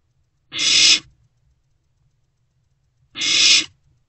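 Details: Young owl in its nest box, 1:22–1:30 am on 16 March 2024, swallowing a delivered rodent; two isolated hoarse hisses about two and a half seconds apart over near silence.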